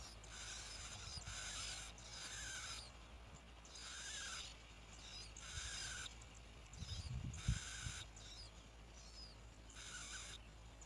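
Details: Bar-winged Prinia chicks in the nest beg with harsh, hissing rasps in bursts of about a second, repeated irregularly, as both parents feed them locusts; low background rumble.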